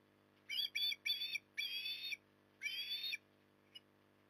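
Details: Osprey at Port Lincoln, Australia, on an October 2020 evening while eating: five shrill whistled notes in quick succession, each slightly wavering, with a pause before the last one, set against a constant low background hum.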